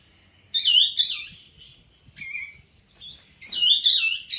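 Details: Sooty-headed bulbul in breeding condition, tail spread, in full song. Bright bubbling whistled phrases come in bursts separated by quiet gaps, mixed with a lower steady whistle and short chattering notes.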